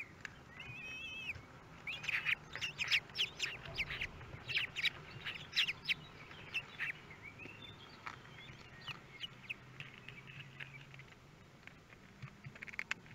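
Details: Common kestrel chicks in a nest box watched by webcam at Théding, France, on 24 May 2022, as the third and fourth chicks hatch: dense bursts of thin, high, peeping chirps, some briefly wavering, with scattered sharp taps and clicks.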